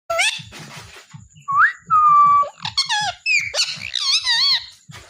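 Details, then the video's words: Captive talking parrot producing a quick string of speech-like sounds and clear whistled tones that slide up and down, some held briefly, others wavering, with soft low thumps underneath in a small indoor room. "Talking parrot"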